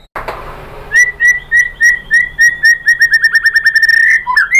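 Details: White-rumped shama song used as a lure to provoke other birds into singing: a fast series of clear whistled notes, repeated about three times a second, speeding into a rapid rising trill at the end.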